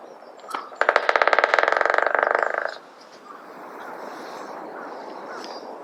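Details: White-backed woodpecker of the Ezo subspecies drumming in Hokkaido, Japan: a fast, even roll of about two seconds of rapid beats, slightly slowing and fading at the end, preceded by a single call, with soft distant bird notes after; Nikon COOLPIX P950.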